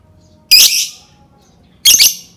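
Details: Lovebird song meant to trigger singing in other lovebirds: two loud, rough, high squawks about one and a half seconds apart over silence.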